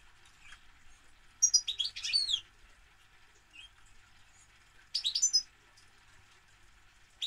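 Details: European goldfinch singing two lively phrases of fast, high, jingling twitters with swooping slurred notes, about three seconds apart, plus a few isolated soft chips between them.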